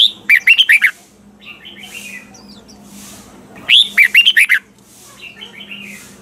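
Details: Red-whiskered bulbul song used to train caged birds, described as a double-note wild-bird style; two bursts of five or six rapid warbled whistles about three seconds apart, softer notes between.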